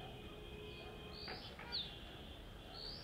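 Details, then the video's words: A loud call from a Dark-grey bush chat sitting on a deodar twig, Jabbarkhet sanctuary, western Himalaya: a thin high whistle, then a sharp down-slurred note and another whistle, with two brief broadband knocks early on. "Dark-grey Bush Chat is a cute little diminutive bird with a loud call, as it sits on a deodar twig"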